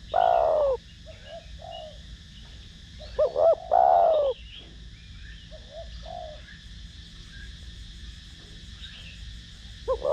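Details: Spotted dove in the 'thổ đồng' voice, used to excite other doves. Loud falling coos near the start and middle, each led by short hooked notes, with softer quiet coos and faint twittering between.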